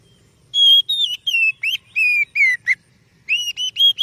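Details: Kacer or oriental magpie-robin, recorded as a lure for other birds: clear slurred whistles falling in pitch, a short pause, then a rising sequence of sweet whistled notes.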